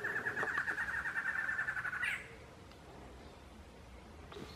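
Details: A male Barred antshrike sings at Mana Dulce Reserve, a dry forest reserve in Colombia, on 23 January 2017: a fast, slightly accelerating run of nasal, hooting notes lasting about two seconds, ending in an abrupt upward flourish, then one further note.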